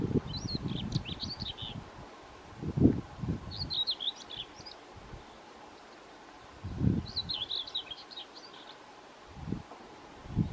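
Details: Male common whitethroat singing close to The Cuttings Quarry: three brief, scratchy, chattering song phrases about every three to four seconds, over low rumbling wind and rustling.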